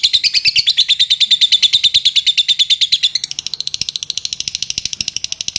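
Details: Lovebird giving ngetik chatter, played as a lure to prompt long ngekek singing: a loud, high, buzzy trill of rapid ticks for three seconds, then a faster, lighter run of evenly spaced clicks that fades slightly.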